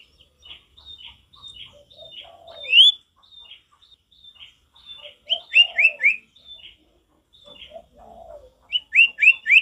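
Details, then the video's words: A male sirtu sings in its natural forest voice, giving thin high chirps and falling notes that build into loud rising-and-falling whistled slurs in groups of three or four, with softer lower warbled notes between. "Sirtu gacor gak ada lawan suara ngalas alami"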